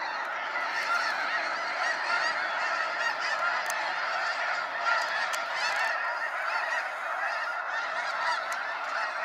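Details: Sunset fly-out of snow geese at Sacramento National Wildlife Refuge, thousands of harsh honks merging into a steady, even din that holds throughout, with occasional sharper calls close by.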